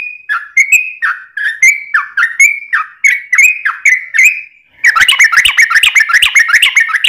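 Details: Yellow-vented bulbul song used as a lure to make other birds sing: evenly spaced falling whistles, then a sudden switch to a fast, dense chatter.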